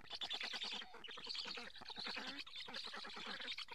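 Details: Black storks feeding at a nest in Karula, Estonia, with fish delivered, caught by a live camera in July 2017. Dense hoarse, buzzy pulses repeat quickly in overlapping bursts with a bright wheezy upper tone.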